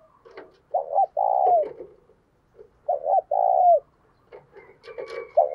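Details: Spotted dove kept as a decoy, cooing in the 'thúc sung' urging style to stir wild doves. Two clear phrases of a double coo plus a long falling hoot. Soft rustling and clicks sit in the background.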